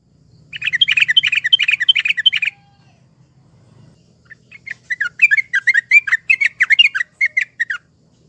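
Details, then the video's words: Yellow-vented bulbul giving two bursts of bubbly, gurgling chattering notes, each two to three seconds long, over a faint low hum. The recording is played as a lure to prompt a bulbul that has stopped singing. "Pancingan trucukan macet bunyi"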